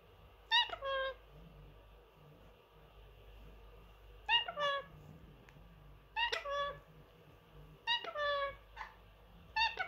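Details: Three-year-old male pet Indian ringneck parrot, kept indoors with other birds, mimicking words and phrases: short harmonic, speech-like bursts with falling tones, repeated in groups about every two seconds, against a quiet room hum.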